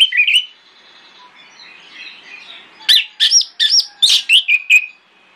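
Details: Orange-headed thrush singing a morning lure song aimed at getting other thrushes to reply. A short warbled phrase, a quiet stretch, then a series of about eight loud, evenly spaced, slurred whistled notes.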